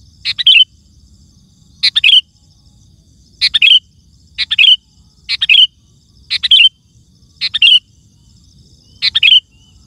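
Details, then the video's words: Lively, loud song of a sooty-headed bulbul meant to draw wild birds in forests and gardens; eight crisp, bubbling phrases of clustered whistles repeat at a steady pace of about one every 1.3 seconds, with faint background hum. "Suara Burung Kutilang Gacor❗ Lantang Bikin Gacor Kutilang Lain"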